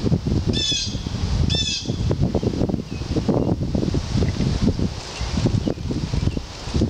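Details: A fledgling red-tailed hawk at Mount Auburn Cemetery on July 2, 2014 gives two thin, wheezy, high calls about a second apart, over steady low rumbling wind and rustling.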